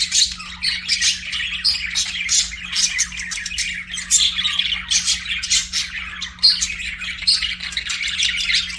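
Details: Several pet budgies sing and chirp together in a long unbroken stream of rapid scratchy warbling, clicks and high squeaky whistles, the busy chatter rising and falling in loudness over a faint constant low hum.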